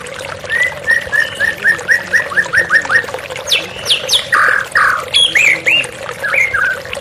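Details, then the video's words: White-rumped shama song set against running water in a therapy recording: a run of about eleven quick upslurred whistles, then loud varied rich phrases and sweeping notes, over a steady low water hiss. "TERAPI MURAI BATU Stres Macet Langsung pulih _ Terapi Murai Dengan Suara Air Mengalir"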